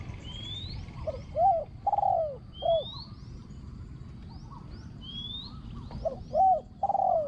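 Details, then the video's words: Spotted dove decoy bird calling to lure wild doves, its voice praised as small and ringing with fine phrasing; short rounded coos in two clusters, with thin rising whistles from other birds above and a low rumbling background. "ต่อนกเขาใหญ่ | เสียงเล็กก้อง คารม หนุนคู คูดีมาก"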